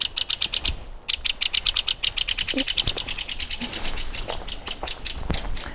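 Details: Hairy Woodpecker making quite a ruckus in a tree along Lake Chelan in the North Cascades, in fine weather. It gives a long, rapid series of sharp, high, evenly spaced notes, about six per second, with a brief break near the start, gradually fading.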